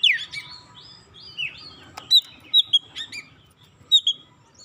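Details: Singing Oriental magpie-robin, a recording meant to bait other magpie-robins into song: a loud downward-swooping whistle opens, followed by softer warbles and scattered sharp high chips, with a quiet low rumble behind.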